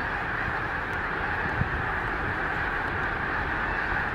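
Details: Huge flock of wintering snow geese taking off all at once, apparently scared, at Gordon's Pond, Cape Henlopen State Park, Delaware, late December on grey overcast day after rain: high nasal honks blending into a dense continuous roar.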